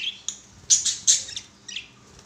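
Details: Captive budgerigars playing give a few loud, harsh chirps and scratchy high squeaks in a short burst, then softer twittering notes.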